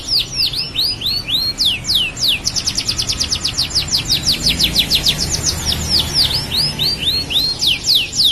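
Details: Tame canary singing vigorously (gacor): swooping slurred notes give way to a rapid rolling trill of short high notes, then more swoops, over a steady hiss of background noise.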